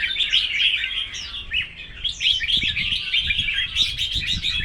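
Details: Singing contest of red-whiskered bulbuls: busy, overlapping sweet whistles and chirps with steep slurred notes throughout, plus faint low thumps in the background.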